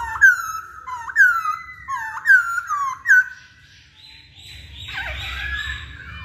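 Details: Masked laughingthrush lure song for provoking singing: four loud, sharp downslurred whistles about one second apart, followed by softer, rough, chattering notes.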